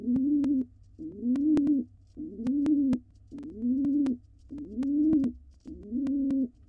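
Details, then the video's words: Courting male pigeon, wild, cooing at a female before egg laying as she dances; steady run of deep, swelling coos, each a rising-falling roll about a second apart, broken by occasional clicks. "Here the male coos and the female dances."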